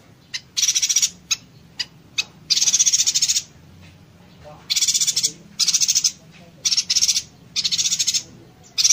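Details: Yuhina in konslet style with dense 'tembakan' bursts, recorded as a master for training songbirds such as magpie-robins and green leafbirds: short ticks, then harsh buzzy rattling bursts of about half a second to a second, separated by brief pauses.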